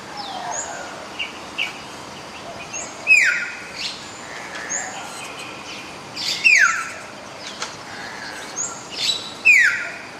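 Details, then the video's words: Common hill myna repeating a loud, harsh downward-slurred whistle about every three seconds, three times, with softer chirps and short whistles from other birds in between. "Suara asli burung beo"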